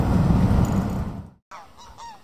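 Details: On the Outer Hebrides on 23 September 2017, around 7 pm at sunset over calm water, low wind rumble dominates the first second, then a few distant geese give short nasal honks, two or three slightly rising calls close together.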